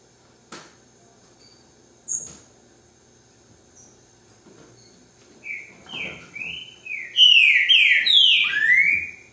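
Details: Green-winged saltator (Saltator similis), song.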